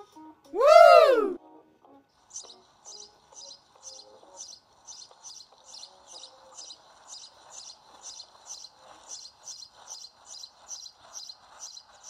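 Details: Sparrow chirping steadily, short high bright chirps repeated roughly twice a second in an even series, with faint soft music underneath.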